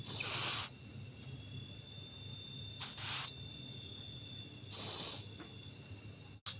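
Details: An owl feeding its young; three rasping, breathy hiss bursts, each about half a second and spaced roughly two seconds apart, with a thin, continuous high insect drone throughout.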